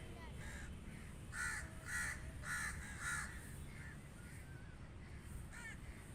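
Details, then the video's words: Crows cawing outdoors: four loud, harsh, evenly spaced caws in quick succession near mid-clip, with fainter caws before and after over steady low background rumble. "Crow Calling | Crow Cawing Sound Effect"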